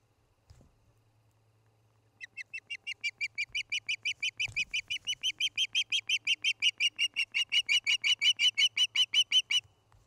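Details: Osprey pair nesting in Charlo, Montana, on a nest camera on an August 2018 evening: after a quiet start, a fast, steady series of sharp, high chirps runs for about eight seconds, roughly three notes a second, with faint low background hum.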